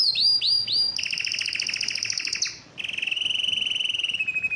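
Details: Excited canary, said to want to mate, sings three swooping notes, then a long fast trill, a brief pause, and another steady rolling trill slowly falling in pitch.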